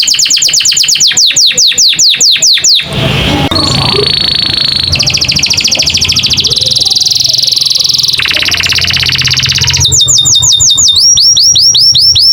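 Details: An American canary sings loud, fast tours of sweeping whistled notes, several a second, broken by buzzy rattles and bright trills, all high-pitched.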